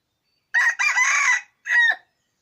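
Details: Yellow-white junglefowl cock giving one clear crow in silence: a short opening note, a longer strained middle note, then a brief falling final note, the whole crow lasting about one and a half seconds.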